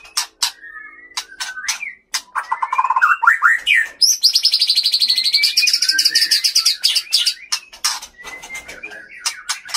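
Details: Male white-rumped shama, a high-spirited fighter from Bahorok, Aceh, singing imitated fill phrases against a rival. Sliding whistles lead into a long, fast, shimmering high trill, then scattered whistles and sharp clicks.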